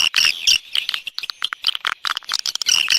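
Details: Swiftlet external sound from a 2020 set: loud clicking chirps and high twitters, irregular and clustered, with short silent gaps in the middle.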